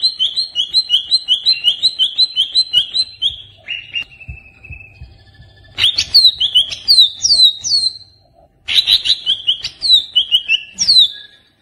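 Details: Greater green leafbird, a caged pet songbird, in a lure recording: a long fast series of repeated bright warbled notes, a falling drawn-out whistle, then loud sweeping downslurred whistles and another rapid warbled run.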